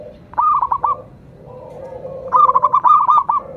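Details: A local zebra dove's song: two bursts of rapid, bubbling coos, the second longer, over a soft, lower droning tone.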